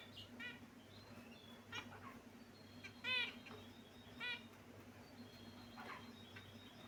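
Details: Finches in a cage utter scattered nasal chirps, each a short stack of harmonic notes, a few seconds apart with one louder call near the middle, over a low hum.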